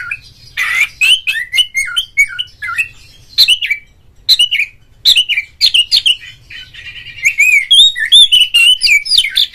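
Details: Oriental magpie-robin singing as a lure meant to provoke a rival and make a kept bird sing fully and fan its tail: rapid, varied whistled phrases with slurred notes and chips, almost continuous, opening with a loud harsh burst.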